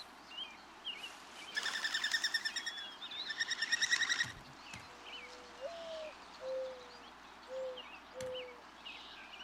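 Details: A Mourning Dove, one of a courting pair, coos to its mate during nest building, which strengthens the pair bond: soft, low, hollow coos, four drawn-out notes over three seconds, after a loud pulsing burst, with thin chirps of other birds throughout.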